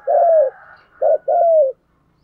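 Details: A spotted dove kept as a decoy coos to attract wild doves: a long, smooth, slightly descending coo, a short note, then another long falling coo, with faint higher twittering behind.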